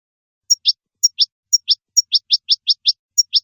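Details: Song of a European goldfinch meant for young birds learning to sing: bright two-part notes, a short high tick followed by a sliding downward chip, repeated about every half second.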